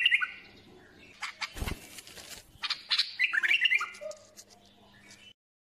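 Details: Bulbul song of quick, bright warbled notes, strongest in the middle, mixed with fluttering wing noise and rustling, over a faint steady hum.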